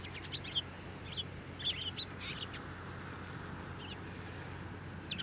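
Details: Eurasian tree sparrows flying onto a hand to be fed at a Tenmangu shrine, Japan, on 9 December 2023; scattered short high chirps, a few in quick pairs, over a steady low hum.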